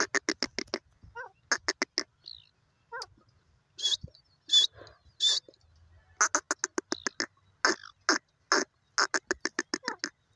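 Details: Desi teetar, the grey francolin: long series of rapid, raspy, rattling pulses in repeated bursts, broken by a few higher squeaky notes and brief pauses, with a low rumble in the gaps.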